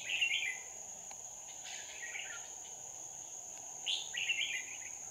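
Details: Decoy red-whiskered bulbul calling in wild birds during trapping, 2 May 2019. A bright warbling phrase opens the clip, then a pause and another two quick warbled bursts, all over a continuous shrill insect background.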